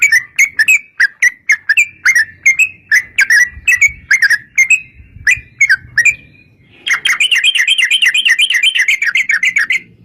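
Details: Sooty-headed bulbul singing a lure song with long rolling trills to provoke other bulbuls into answering: a string of separate sharp whistled notes, then a fast, even, rolling trill for the last three seconds.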